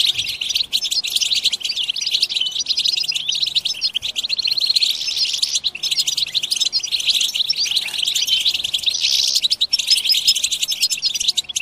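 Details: European goldfinches in a group chatter (batbata), used to stir goldfinches into singing: dense, continuous high twittering and rapid tinkling notes from many birds, unbroken for the whole stretch.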